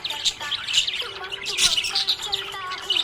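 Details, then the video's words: Short burst of happy budgie chatter: scratchy, high twittering notes packed closely together, with a low musical tone underneath. "Happy budgie chirping sound"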